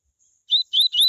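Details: Fragment of tui tui coleiro song used to get other coleiros singing: three sharp, slightly rising whistled notes in quick succession, cut off abruptly, quiet background.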